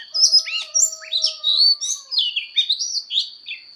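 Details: Oriental magpie-robin in fighting song, training its voice: rich whistled phrases swooping up and down, with a thin steady high tone held in the background and two faint low hums fading out mid-clip.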